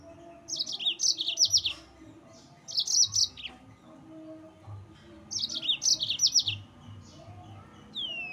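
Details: Yellow-fronted canary singing a lively song meant to provoke rival birds: bursts of bright, high, rapid chirped notes about a second long, repeated three times, with a faint higher whistle at the end.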